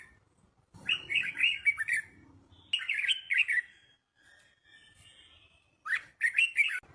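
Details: Red-whiskered bulbul singing, intended for young birds to learn: three separate bursts of quick, warbled chirping phrases divided by quiet gaps of about a second.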